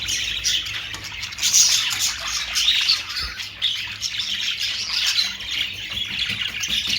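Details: Budgerigar, called Australian parrot: nonstop high-pitched chattering, squeaks and short warbled phrases rising and falling in loudness, several birds at once.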